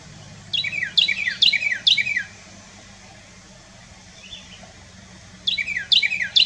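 A Carolina wren sings loud, rolling three-part phrases, each a quick downward-sweeping whistle, repeated about three times a second in two bursts with a pause between.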